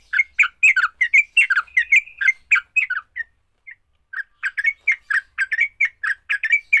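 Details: Sooty-headed bulbul giving a fighting song meant to set other bulbuls singing: a dense burst of harsh, squawky chatter, a brief pause with a few lone notes, then rapid chattering again.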